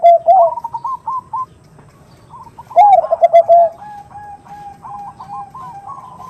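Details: Hen zebra dove in 'nutut' style calling to a male, used as a lure: a loud rolling coo, a string of quick repeated notes, a second powerful pulsing coo, then long soft sustained tones with brief note flicks.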